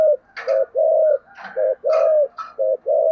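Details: Spotted dove with a thổ sấm voice giving quick thúc gù coos: low paired notes, brief then prolonged, interrupted by several sharp rattling clatters.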